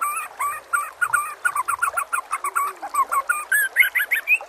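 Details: Master song of a white-rumped shama, played to make other shamas respond: short doubled notes repeated steadily, about four each second, ending in brighter rising whistles.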